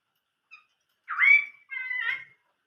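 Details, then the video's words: Chinese hwamei, 'old forest voice' song: after a faint short note, a loud swooping whistle rises and levels off, followed by a softer, chattery warbled phrase. "chim họa mi hót giọng rừng già"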